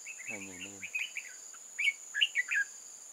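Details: Red-whiskered bulbul used as a trap decoy on 8 October 2018, calling in wild birds: rapid bright chirps and slurred whistles, a man's short spoken word early on, steady shrill insect noise behind.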